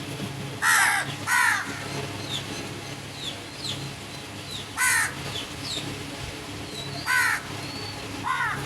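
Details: Crows caw in pairs and singles, harsh and nasal, with thin whistled chirps from smaller birds scattered between the calls.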